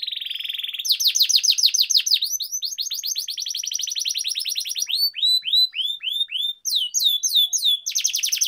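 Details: Canary rolling song meant to train and prompt other canaries to sing: a buzzy steady opening note, then long runs of rapid high downslurred trills, shifting to slower spaced sweeping notes and ending in a fast trill.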